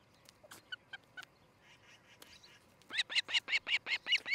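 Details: Osprey calling from the nest near Charlo, Montana, nest cam, morning of 13 July 2018: a few scattered soft chirps, then a loud, rapid series of about eight sharp whistled cheeps.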